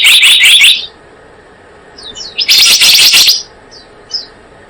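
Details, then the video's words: Blue-eared kingfisher, used as a lure recording for trapping, giving two bursts of rapid, shrill, high chattering notes, each under a second long, separated by quieter faint high chips. "Suara pikat burung selendang biru"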